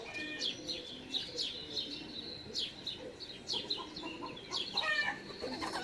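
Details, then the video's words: Great spotted woodpecker nestling begging to be fed by an adult in a garden, 13 June 2019; clusters of sharp, high squeaky notes in quick irregular bursts, with a steady low hum beneath. "Buntspecht füttert bettelnden Nachwuchs"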